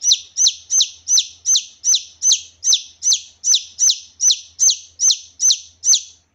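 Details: Loud, clear calls of a junglefowl chick (kasintu) used as a trapping lure: a long, very regular string of about fifteen high, falling cheeps, around two and a half per second, over a quiet background.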